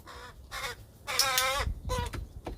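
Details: American crow giving four harsh, nasal caws with strong harmonics, each under half a second, the third longest and loudest; one of two imprinted, non-releasable educational crows at a permitted wildlife rehab center during a November 2020 training session; faint background noise.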